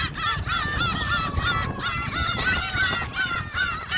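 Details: Crowd of gulls at Jebudo, fed shrimp crackers, giving dense overlapping mewing, down-slurred yelps, nearly three per second, several birds calling at once over a low background rumble.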